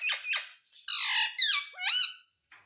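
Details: Talking pet parrot that says mitthu and mummy; two short squeaky notes, then a longer harsh squawk and a few bending, whistled syllables in a small quiet room.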